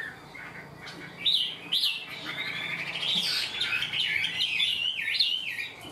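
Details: Chinese hwamei, caged and untrained but quick to sing, builds from two sharp rising whistles into a continuous warbling run of looping, up-and-down notes that stays loud to the end.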